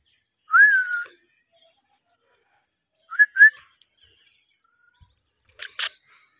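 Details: Alexandrine parrot talks in clear, whistled, speech-like phrases: one drawn-out word, then a quick two-syllable pair, followed by a short harsh burst.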